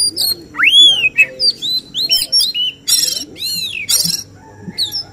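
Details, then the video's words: Contest-singing Oriental magpie-robin delivering 'tembakan' shooting phrases prized by judges. The song has bright rising-then-falling whistled sweeps and several harsh rasping bursts, with quiet background hum. "Suara tembakan Kacer yang diincar juri saat lomba burung berkicau"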